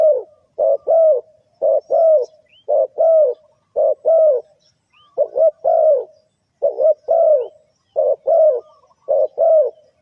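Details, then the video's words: Spotted dove call for luring birds into a trap: rhythmic paired coos, short then drawn out, repeated steadily for ten seconds, low and mellow with no other sounds. "The Suara Tekukur,Cuckoo Bird,Sound Of Cuckoo Bird,่เสียงนกเขาใหญ่,Bird Trap,Chim cu gáy gù tốc độ"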